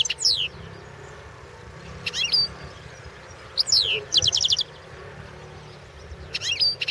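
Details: European goldfinch recorded for a 2016 world goldfinch song championship; scattered short high twittering phrases with downward-sweeping notes and one quick rattling trill, spaced by pauses against low background hum.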